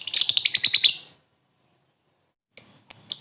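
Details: Lovebird giving a short ngekek laughing call to lure and call a rival: about nine rapid, rasping high notes packed into one second, a pause, then three separate sharp chirps.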